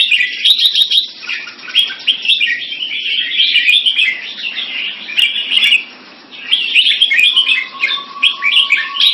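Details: Competition singing of red-whiskered bulbuls (jambul) in Singapore: busy, overlapping bright warbles and quick chirps run continuously, dip briefly near the sixth second, then resume beside a faint steady hum and scattered clicks.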